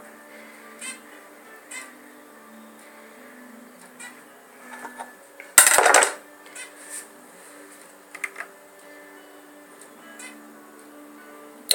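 Soft clicks and scraping of a blade cutting soap, one loud crunching burst, and faint background music; no animal sounds.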